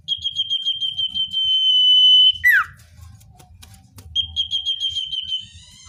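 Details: Common iora, natural recording used to lure wild birds: a string of quick pulsed whistles on one pitch merges into a long sustained whistle, ending with a sharp downward-sliding note. Soft low rumble underneath.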